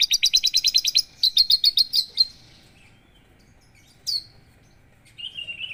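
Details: Two bursts of quick, high chirping from a Javan bush lark, then a long silence broken only by one sharp downslurred note and a faint whistled phrase at the end.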